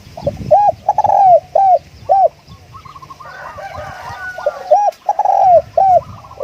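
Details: Spotted dove used as a decoy bird, cooing: loud arched hoarse coos repeated in quick groups, with a fainter, higher, bubbling dove call between the bursts.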